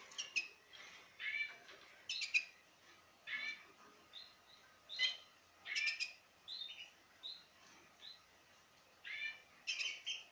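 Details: Male lesser goldfinch (Carduelis psaltria jouyi) in breeding condition courting a female sings a rambling string of high, twittering chirps and buzzy notes in short bursts every second or so, with a faint steady hum behind.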